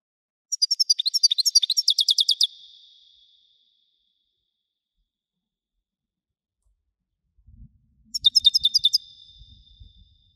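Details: Goldfinch of the Widani song style giving two fast, rhythmic bursts of sharp repeated twitters about six seconds apart, each ending in a trailing tone, with faint low knocks before the second.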